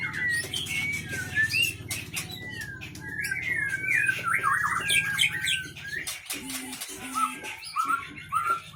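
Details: White-rumped shama of the Aceh Leuser strain, a captive fighter-type singer with long breath; varied whistled phrases, rising and falling slurs with sharp clicks, then a pause and brief higher notes near the end.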